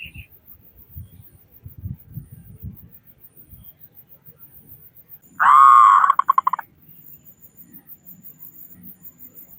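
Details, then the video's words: Zebra dove, local Indonesian bird with a loud voice, singing to prompt other doves: one strong, drawn-out buzzy coo breaking into a few quick pulses, after several seconds of low background rumble and knocks. "Perkutut Lokal Gacor Suara Besar Pancingan Burung Perkutut Agar Cepat Bunyi."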